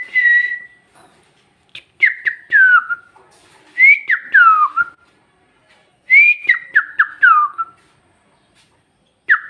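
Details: Talking parrot with Bhojpuri words, producing clipped whistled notes stepping downward in quick runs of four or five, repeated in bursts with quiet gaps between.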